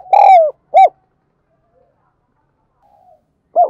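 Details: Spotted dove coo used to call in wild birds, thổ đặc style: the tail of a phrase with a long wavering coo and a short note, a near-silent gap, then the first note of another phrase.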